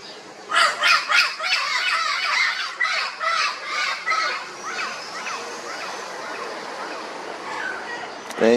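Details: Pet turquoise-fronted parrot at home in Mato Grosso, Brazil, greeting its owner on his return: a series of harsh, raspy squawks in the first seconds, then quieter chattering calls under steady background noise.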